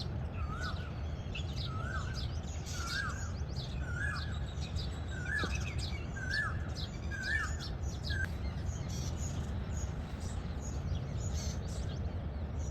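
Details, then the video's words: Plum-headed parakeet calling: a run of about eight short, clear, up-slurred whistled notes, one roughly every second, over steady low background rumble with scattered faint higher chirps. "Plum headed parrot"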